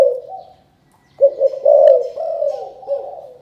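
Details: Spotted dove calling in the chụp chụp ô style, from Cần Thơ, Vietnam. A soft coo is followed by a short silence, then a full phrase of low stuttered notes leading into sustained, mellow cooing.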